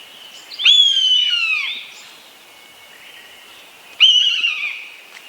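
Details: Eastern buzzard, a hawk that hovers in place while searching for prey. It gives two loud, plaintive, down-sliding mews about three seconds apart over faint background hiss.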